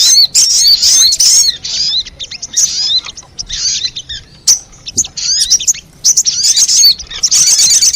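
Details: Sogon bird lure recording used to draw in wild sogon: dense bursts of thin, high chirps and twittering slurred notes, broken by short pauses, with a busy overlapping quality.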